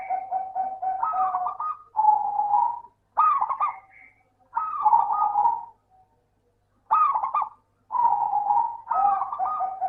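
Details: Local zebra dove song used as a lure to prompt lazy doves to sing: bubbly, rolling cooing phrases with quick trilled notes, repeated in bursts about every two seconds with short silent gaps.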